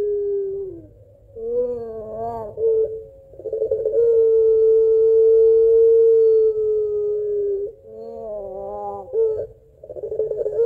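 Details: Calling for its mate, a puter pelung Barbary dove alternates wavering, laugh-like coos with an undertone and a very long, even tone held about three and a half seconds, then more wavering coos.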